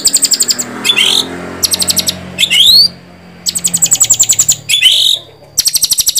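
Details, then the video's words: White-rumped shama delivering rapid rattling chatter bursts alternating with sweeping upward whistles, each phrase about half a second long, with a steady low hum in the background. "Suara Burung Murai Batu"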